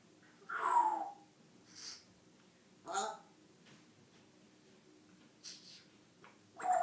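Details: African grey parrot indoors, talking in short voice-like bursts with a descending whistled note near the start and brief squawky sounds between quiet pauses.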